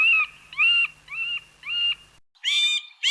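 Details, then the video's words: Middle Spotted Woodpecker, a bird of European forests, giving a slow series of nasal, whining 'gwaah' notes, about two per second, each slightly drawn out; no other sounds. "Chant du Pic mar | Middle Spotted Woodpecker"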